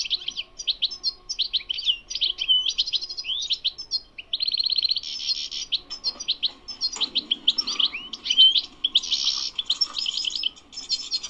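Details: Wild goldfinch in full batbata twittering song, linked to the Qurai'a bird market on Sunday: varied high tinkling phrases, a rapid buzzy rattle, twangy slurred notes and trills running continuously for over ten seconds.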